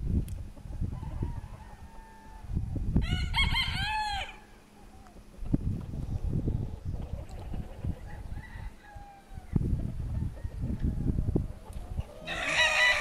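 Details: Hens and roosters of decorative breeds, among them Brahma and Pavlovskaya, in Altai on February 24, 2016; one loud, drawn-out harmonic call near the start and another at the end, over bursts of low rumbling wind noise and faint clucks.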